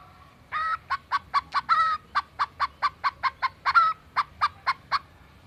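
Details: Greater green leafbird imitating a chicken and a cat. It gives a fast, steady string of about twenty clucking notes, roughly four per second, resembling a hen's cackle.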